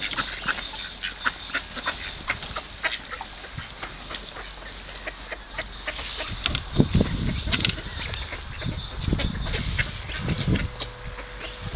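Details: Hungry ducks at the Kirchsee lake in Preetz, Germany, call while they are fed. Softer, scattered quacks rise over a steady low background rumble, growing busier toward the end.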